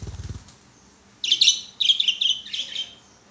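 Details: Pet budgerigars chattering while playing on a swing, a low thudding noise first, then several bursts of fast high chirps.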